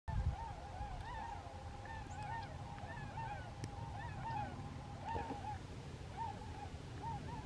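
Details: About 18 tundra swans fly over Bear Island, South Carolina, on a clear evening, giving mellow, high-pitched whooping flight calls that overlap steadily over a low rumble of wind or distant engine.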